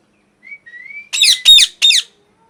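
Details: Angry parrot first gives a thin whistle rising slightly in pitch, then three loud, rasping screeches in quick succession.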